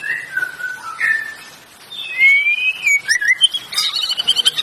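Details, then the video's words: Canary song of clear whistled notes: low slurred tones, then a long, pure rising whistle, ending in rapid, high, pulsing trills. "Canary singing, canary sound"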